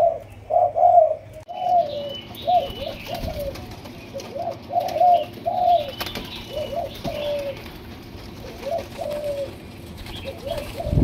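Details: Young Malaysian-line spotted dove, two months old, 'chiêu di chuyển' style: low, hollow coos, loudest at first, then softer and spaced out, with faint higher chirps from other birds behind.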